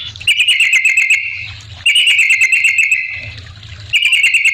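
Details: Yellow-vented bulbul song used to provoke other bulbuls to respond: three short bursts of fast, bright whistled chatter separated by brief pauses.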